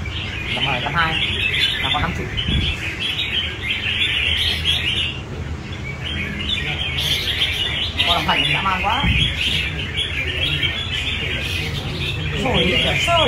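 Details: Captive red-whiskered bulbuls on a display rack sing in competition, giving bright, chattering warbled phrases, several birds overlapping at a quick pace, over a low background hum and a brief human voice.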